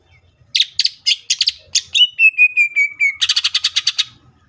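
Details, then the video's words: Greater green leafbird singing a tembakan-style passage: quick sharp chips, then a long thin whistle that slowly falls, then a fast rattling series of bright, clipped notes. "CUCAK IJO FULL TEMBAKAN"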